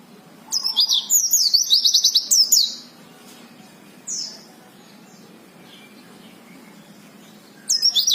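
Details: Several oriental white-eyes, a collection of birds ranging from wild-caught to fully settled and singing strongly, give high, thin, rapid chattering song phrases in short bursts lasting about two seconds, separated by quiet gaps with faint background hum.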